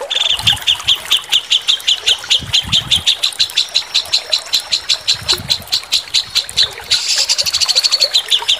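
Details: White-rumped shama, a linked master-song training recording. Sharp high chips repeat about four times a second without a break, ending in a denser burst of buzzy notes. Faint low rumbling sits underneath.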